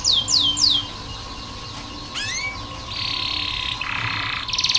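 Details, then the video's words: Canary tutor song for training young canaries that sing little: a few quick downswept notes, a rising slur, then dense buzzy trills, with a constant low hum behind. "KENARI malas bunyi, Terapi untuk kenari masteran canary"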